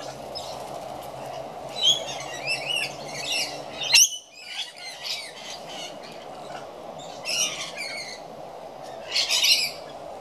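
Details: Shrill high squawks and chirps come in scattered bursts as rainbow lorikeets feed and fling their food about, with a sharp knock midway and quieter gaps between bursts.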